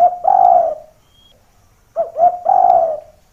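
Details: Spotted dove giving a vigorous call used as a lure, which draws other doves down toward a supposed rival: two deep, rolling cooing phrases separated by a second of silence, clean with no other sounds.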